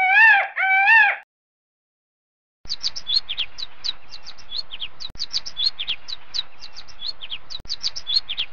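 Sparrows chirp busily, with many short high chirps overlapping quickly like a small flock. A brief wavering voice-like tone comes before them.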